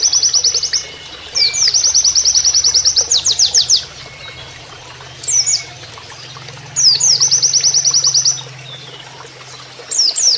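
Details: Oriental white-eye singing in the canary manner for training other birds. Bursts of high, even, rapid trills are separated by pauses of a few seconds, with occasional slurred notes, against gently flowing water.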